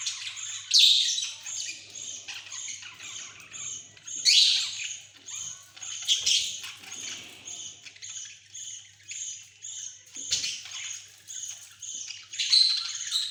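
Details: Pet budgerigars chatter in a steady run of high, scratchy chirps and squawks during their activity time, recorded 28 October 2023.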